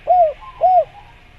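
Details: Two soft, arched coos from a spotted dove (tekukur) in the jungle, each smoothly rising then falling, about half a second apart.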